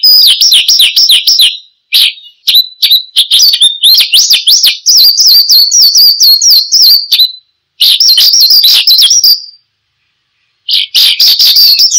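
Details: Oriental skylark in constant song, presented as a lure and training sound for cage birds: long, rapid, high runs of trilled, warbling and slurred notes, broken by brief pauses and a silence of about a second.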